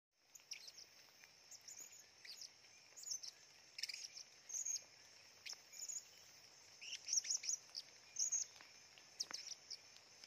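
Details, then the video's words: Blue-crowned hanging parrot singing actively deep in forest; thin, very high chirps and squeaky twitters come in scattered short bursts over a steady shrill insect drone. "Serindit gacor"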